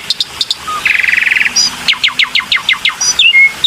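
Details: Black-winged myna lure recording: a quick series of sharp chirps, then a dense buzzy rattle, a short low whistle, and a run of about nine steeply falling clicks ending in a flat high whistle.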